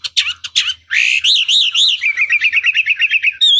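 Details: Chinese hwamei lure song meant to rouse a rival to reply: two sharp upslurred notes, then rolling arched whistles that quicken into a rapid series of short downslurred notes, ending on a bright sliding whistle.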